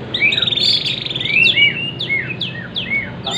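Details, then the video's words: Bornean white-rumped shama imitating a prinia: a quick buzzy high trill, then crisp down-slurred chirps repeated about every half second. "MURAI BORNEO TEMBAKAN PRENJAK"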